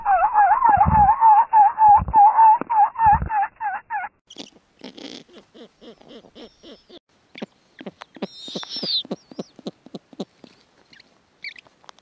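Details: Female snowy owl on the nest with young as the male arrives carrying prey: four seconds of a wavering, warbling call with low thumps, then a rapid series of short clipped barks and one high rasping screech.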